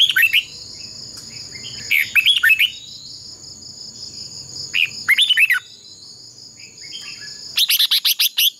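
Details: Fighting-contest song of a red-whiskered bulbul used as a decoy for training other birds to sing: repeated phrases of bright slurred whistles and rattling chip bursts every two to three seconds, under a steady shrill insect-like drone and faint low background noise.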